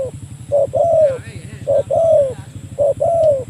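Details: Spotted dove calling a rival as a trapping lure: low soft coos, each a short note followed by a longer falling note, repeated three times about every second, with faint speech and a low rumbling hum beneath.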